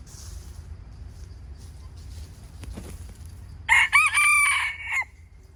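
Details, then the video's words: Wild chicken crowing once near the end: a loud, harmonic-rich crow of a few segments lasting about a second and a half, after quiet outdoor background with faint low rumble. "How good calling of wile chickens"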